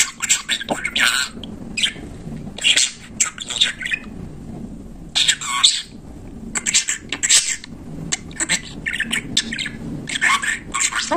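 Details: Talkative budgerigar producing bursts of raspy, word-like chatter and shrill squawky notes, each burst lasting under a second with short silent gaps between.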